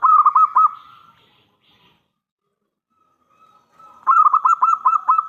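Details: Local zebra dove calling with a strong voice to get other doves to answer. A clipped run of four coos opens, followed by near silence, then a longer fast string of about seven rolling notes.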